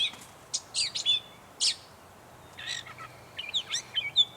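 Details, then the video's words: Gray catbird at North Tetagouche, New Brunswick, giving short bursts of scratchy, squeaky notes and brief whistles, broken by a pause in the middle and then resuming with quick varied phrases. "Gray Catbird"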